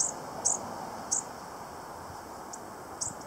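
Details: A single bushtit at Gas Works Park calls in quick, irregular bursts: five or six thin, piercing high chips within three seconds, set against constant low rumbling background noise.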